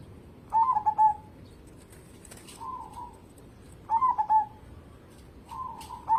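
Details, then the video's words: A local zebra dove in energetic song, suited as a lure for other birds: a choppy burst of soft staccato coos, then a long mellow coo, the pattern repeating about every three seconds; faint rustling in between. "burung perkutut lokal gacor cocok buat pancingan"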